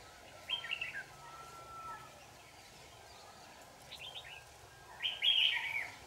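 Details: Red-whiskered bulbul recorded while trapping on 4 January 2018, giving brief chirped phrases, a few soft notes midway, then a louder jumbled whistled burst, over low background hiss.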